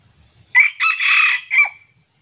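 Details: Red junglefowl crowing during a trapping session in which a decoy bird faces a young wild junglefowl: a short, loud, hoarse three-part crow, with a sharp opening note, a longer rasping middle and a clipped final note, against a faint steady insect hum.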